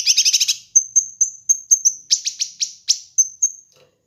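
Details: Kinoi bird in a master recording meant to train and lure birds: a quick rattling trill opens, then high piercing whistles mixed with sharp, scratchy, downward-sweeping notes at a brisk, regular pace.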